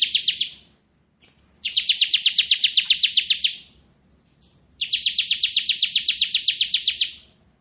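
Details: Bar-winged prinia (ciblek kristal) used as a master tutor for magpie-robins: long rapid rattling trills, each near two seconds of evenly spaced high buzzy notes, separated by short silences.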